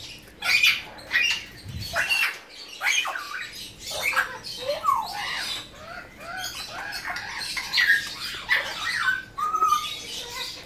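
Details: Harsh, grating squawks in quick uneven bursts from tame blue-winged macaws, a hand-reared female and male born in 2017 and kept in captivity, with short bent notes between the louder cries.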